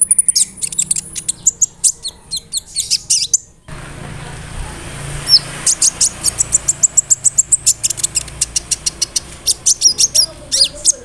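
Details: Sunbird song played so other sunbirds respond: long strings of rapid, very high, evenly spaced chips, briefly broken by a gap, then resuming faster with occasional thin whistled notes.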